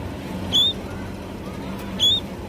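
A sparrow gives two short, bright chirps about a second and a half apart, over a steady low background rumble.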